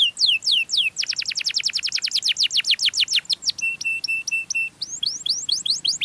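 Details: Canary singing to attract other canaries: a few sweeping whistles, then a fast rapid trill of steep downward strokes, several level buzzy held tones, and rising upslurred notes at the end, loud and clear.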